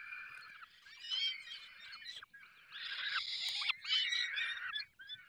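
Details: Falcons calling at the nest during feeding in the Barycz Valley: harsh, overlapping screeches swell and fade in three bursts, with thin whistled notes mixed in.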